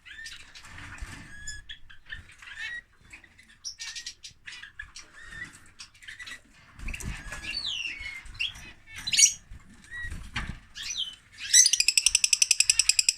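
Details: Noisy lovebirds chattering: busy high chirps, squeaks and swooping whistles in uneven bursts, finishing in a loud, rapid buzzy rattle, with some soft thumps and rustling.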